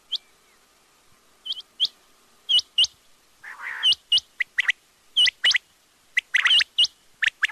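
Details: Quail calling in steady rhythm, a string of high, hooked chirps in pairs that speeds up and overlaps, with one brief lower rasping note midway.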